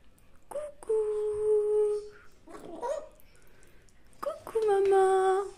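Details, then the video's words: A 5-month-old baby grey parrot, asked "Tu dis coucou?", says a two-note "coucou" twice, each a short rise then a long level tone, with a person's voice briefly between. "bébé gris du Gabon de 5 mois qui dit coucou"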